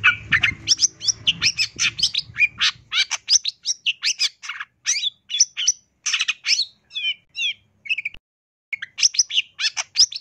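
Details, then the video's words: Long-tailed shrike, 2022 training recording for caged birds, 'isian tambakan' song: long stream of buzzy chattering notes, then trilled downslurred whistles and a brief pause, with a low hum at the start. "MASTERAN CENDET GACOR FULL ISIAN TAMBAKAN"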